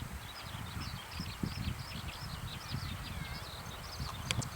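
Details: A zitting cisticola gives its call notes, a quick run of thin, high ticking notes, faint over a steady low rumble of wind. It flew into a field on an evening walk and called there without fleeing.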